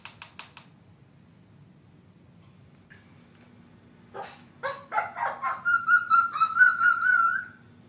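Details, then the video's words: A female cockatoo imitating her friend, a Briard dog, barks at the dog: about six harsh, dog-like barks in quick succession after a few faint clicks, ending in a drawn-out ringing squawk. "Cockatoo barks at her canine friend"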